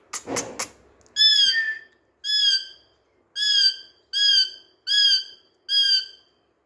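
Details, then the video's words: Rose-ringed parakeet, a green Indian talking parrot, playing with a mirror and speaking Urdu/Hindi: three sharp tapping clicks open, then six hoarse, harmonic, descending utterances spaced evenly about a second apart. "Indian Talking Parrot Voice | Parrot speakjng in Urdu/Hindi"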